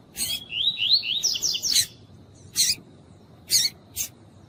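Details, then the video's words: Female Double-collared seedeater calling to stimulate the male, giving a lively chain of upward-sweeping warbled whistles that ends in a sharp snap. Three more isolated clicks follow at spaced intervals. "COLEIRO TUÍ-TUÍ COM FÊMEA CHAMANDO PARA ESQUENTAR COLEIRO TUI TUI"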